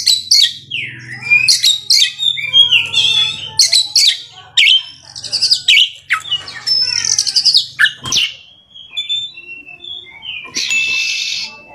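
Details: Oriental magpie-robin (kacer) singing in the ngerol and nembak style: fast varied whistles, trills and downward slurs, with faint low rumbling and a harsh buzzy burst near the end.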